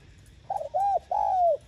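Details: Spotted dove coo used to lure other doves: a short rough note, then an arched coo, then a long gently falling coo, all low and mellow.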